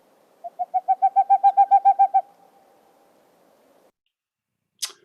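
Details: Boreal owl (Aegolius funereus) call: a quick, even run of about thirteen soft, hollow hoots on one pitch lasting two seconds, followed later by a brief click; a species people travel to Mount Rainier to see.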